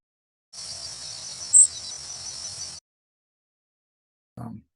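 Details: A Yellow Warbler gives one very brief, high, dry, roughly modulated, level buzzy flight note, a call of birds flying overhead on migration, over steady hiss; a low thump follows near the end.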